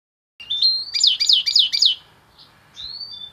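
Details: Super-pigmented goldfinch hybrid singing: a rising whistled note, then four quick, bright, descending twittering phrases, a short pause, and a final thin upward-sliding whistle.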